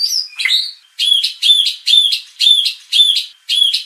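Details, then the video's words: White-rumped shama lure for contest training, meant to agitate a bird into singing its full repertoire. A brief warbled slur leads into a regular series of loud, ringing double notes, about two each second. "pancingan murai batu agar emosi bongkar isian"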